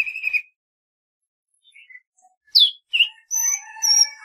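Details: Golden-fronted leafbird giving a varied phrase: a buzzy opening note, soft short whistles, two loud sharp downslurs, then sustained warbled whistles at several pitches at once.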